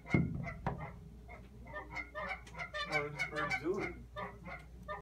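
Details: Geese calling outside a window on March 17, 2017: a knock opens, then a flock's nasal honks build into a dense, overlapping clamour before thinning out.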